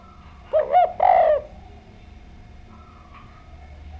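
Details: Spotted dove singing as a lure to draw responses from other doves: three quick, downward-curving coos in a close burst, then faint background noise with a quiet, thin hum.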